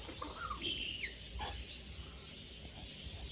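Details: Two-month-old baby African grey parrot trying to talk: a few short chirpy, whistled notes rising and falling within the first second, a brief lower note, then near quiet over a soft low hum.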